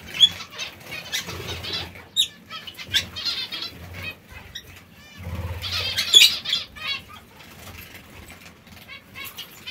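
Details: Zebra finches eating seeds and fresh greens keep up a busy stream of short nasal, harmonic calls. The calls bunch together near the start and again around six seconds, with a steady low hum underneath.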